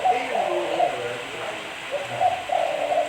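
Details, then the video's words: Cooing of a spotted dove kept as a lure bird: repeated soft, hollow hoots in two clustered phrases, the second rising in emphasis at the close, over steady hiss. "Suara Burung Tekukur Bersih-Suara Burung Tekukur Buat Pancingan"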